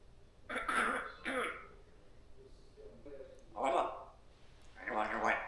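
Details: A pet African grey parrot mimics household sounds: three raspy, throaty bursts like chewing with its mouth open, throat-clearing and Darth Vader-like heavy breathing, each under a second, with quiet gaps between.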